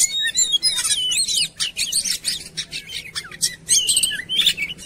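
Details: Oriental magpie-robin song used as a lure to make birds sing: quick varied whistled phrases, swooping slurs and clipped chirps tumbling together without pause, bright and high-pitched, in short loud surges.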